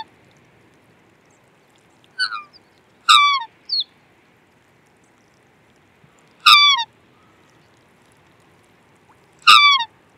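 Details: Black swan uttering three loud descending, harmonic honks spaced about three seconds apart, plus a couple of softer short notes early on; the background holds a faint steady high hum.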